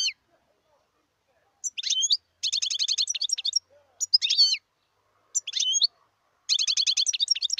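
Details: Wild European goldfinch singing in bursts, with quick twitters and fast even trills of repeated metallic notes, a slurred downward whistle, and short silent gaps between phrases.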